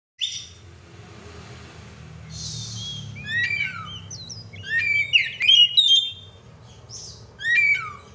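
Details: Oriental magpie-robin (kacer) singing actively, a gacor song: scattered whistled notes and short slurred phrases high in pitch, some falling and some rising, with quiet gaps between bursts and a low hum underneath.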